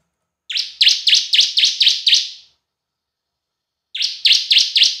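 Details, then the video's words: Two bursts of bar-winged prinia lure song in semi and kristal style: six rapid high chirps, a pause of over a second, then another quick run of dipping notes, about four per second. "Suara Pancingan Ciblek Semi & Kristal"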